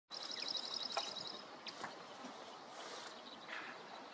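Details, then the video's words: Dark-eyed Junco, a vagrant North American bird, singing in a small coastal garden at Rattray Head, Aberdeenshire, on the morning of 10 May 2023: a quick, even, high trill of rapid notes just over a second long, with steady wind or surf hiss. "Dark-eyed Junco - (singing)"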